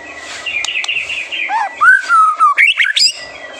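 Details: White-rumped shama master song in a prolific 'gacor' singing style, used to stir young birds and fledglings into singing. Brisk run of varied whistled phrases, a wavering note, a long slurred descending whistle, then sharp high chips, over a faint steady tone.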